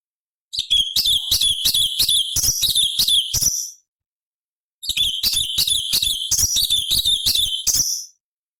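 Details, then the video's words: Cucak cungkok bulbul in a variation-rich high-octave song meant for training songbirds: two bursts of about three seconds each of quick, buzzy, rattling high notes separated by a short silence. "Masteran Cucak Cungkok Istimewa ~ Suara Asli Hutan Materi Variasi Oktaf tinggi"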